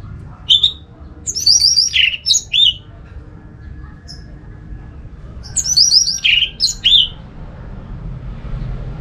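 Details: Orange-headed thrush song meant to stimulate other thrushes: a short, intricate phrase of high rapid notes ending in a few downslurred whistles, repeated after about three seconds of quiet, with low background hum.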